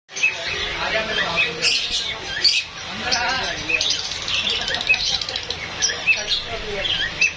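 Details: Indian ringneck parakeet talking: a rapid stream of high, speech-like chattering syllables with squawky, raspy bursts running almost without pause.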